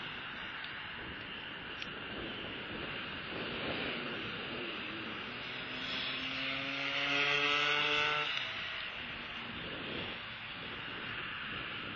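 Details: Steady aircraft engine drone with a passing propeller hum that swells and fades, no animal voices heard.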